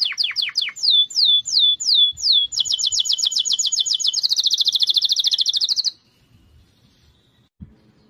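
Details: Canary in sentimental song: descending whistled sweeps, then a fast even rolling trill that speeds into a buzzy rattle before stopping; a brief soft knock near the end, otherwise quiet.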